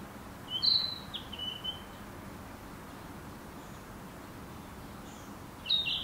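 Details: A Narcissus flycatcher, in a recording dated 200509, sings a clear, whistled phrase of a few quick, sliding notes, then a pause and another brief burst, over a soft background hiss.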